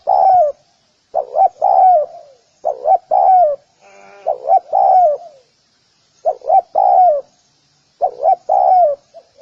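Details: Spotted dove calls meant to lure other doves: regular cooing phrases of two short notes and a long falling note, with a brief buzzy sound in a gap midway.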